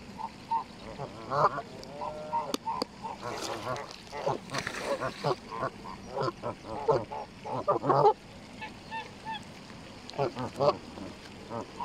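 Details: Canada geese gathered to feed at a lake in Longton Park, Stoke on Trent, spring 2022; mixed honks and chattering calls from several birds amid splashing and rustling noise.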